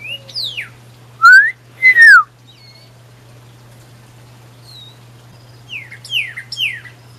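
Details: Male Pyrrhuloxia calling to his mate in the desert around Tucson. Downslurred chips come first, then two loud clear whistles, one rising and one falling. Later a soft note follows, then a quick cluster of descending chips under a low steady hum.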